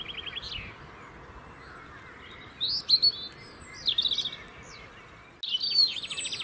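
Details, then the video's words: European robin song from the UK, the year-round singing robins use to hold winter territories: scattered high, thin phrases, a short trill, then sharp bright notes, with a fast rattling burst near the end over a quiet hiss. "Beautiful song of Robins"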